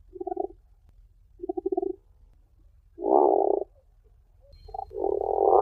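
Tufted puffin giving four low, throaty groans, the first two short and pulsed, the last two longer and grating, over a faint low rumble.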